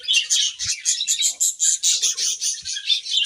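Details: Budgerigars chirping while eating grass: rapid, rhythmic pulses of squeaky, grating chatter, about three per second, with a few soft clicks.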